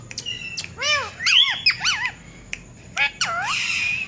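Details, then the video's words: Talking Indian ringneck parakeet, reportedly copying a cat: a few brief bouncing, wavering squawks with curved bright tones around one and a half seconds, then quieter clicks and a final pair of dipping calls. "Cat voice Talking Parrot"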